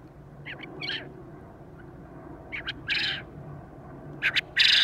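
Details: A male Japanese quail crows three times, each crow a pair of quick chirps followed by a harsh, raspy burst, about every two seconds over a low steady hum.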